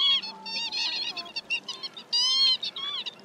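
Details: Northern lapwings, male and female, calling as a night-net lure for migrating birds: softer overlapping nasal calls with a hiss of background noise and one loud rising call midway.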